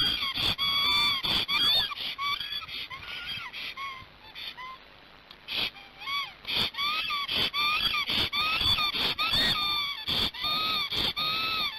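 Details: Excited male Black stork defending the nest in Hungary while the female is absent, nest camera, 12:30 on 15 March 2019. Fast series of whistled, arching notes with frequent sharp clicks, a quieter gap midway, then calling resumes.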